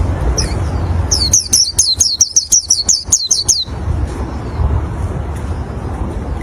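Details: Oriental white-eye song used to lure other white-eyes: a quick run of about a dozen high, sharply downslurred notes packed into under three seconds, over a steady low rumble of background noise.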